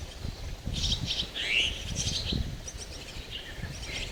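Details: Chestnut-tailed starling chicks in a tree hollow, with parents raising them: bursts of high, thin chirps and squeaky notes, overlapping and uneven, with a short rising squeal mid-way, over low rumbling background noise.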